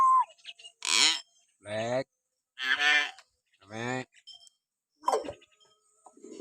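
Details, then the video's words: Common hill myna sounds used to excite pet mynas into calling: a brief falling whistle, then repeated loud, hoarse, nasal squawks with strong harmonics, roughly one each second, ending with a thin descending note. "masteran burung beo suara siulan alami"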